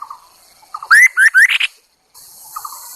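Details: Chinese hwamei kept as a lure bird: soft low chatter leads into three loud rising whistles climbing in pitch, ending in a buzzy higher flourish, then a short silence and faint chatter with hiss.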